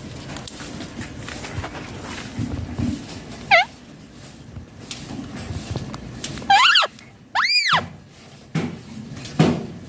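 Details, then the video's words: Pet ringneck parrot indoors, letting out scattered loud arched shrieks, one early and a close pair later, each sweeping up and down sharply, with light knocks and room noise between. "Ringneck Parrot Natural Sounds || Parrot Voice Original"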